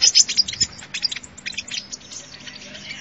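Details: Sunbird song used as a lure for trapping: dense, rapid high twittering and chattering notes, loudest at the start, then fading into a steady high jingle.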